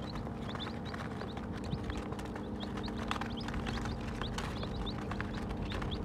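Several baby chicks peep in short, high, thin notes, scattered and overlapping, several each second, over a steady low rumble and soft scuffling.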